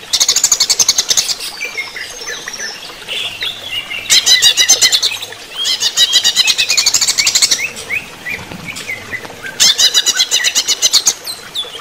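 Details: Running-water therapy session with a greater green leafbird pouring out energetic song: repeated bursts of fast, dense chattering notes broken by sweet slurred whistles and twittering phrases, over constant watery hiss.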